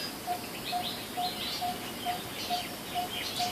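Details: Repeated hollow 'tuk' notes of a coppersmith barbet, eight evenly spaced beats in under four seconds, over soft background chirping of other birds.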